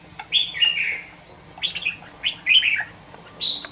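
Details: Two-month-old red-whiskered bulbul kept in a cage gives short, clear, whistled phrases that fall in pitch, separated by brief pauses, with a final rising note.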